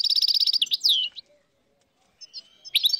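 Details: In northern Morocco in 2022, a wild flock of dozens of European goldfinches gives a fast rattling trill and a sweeping downslurred note, then near-silence before twittering resumes.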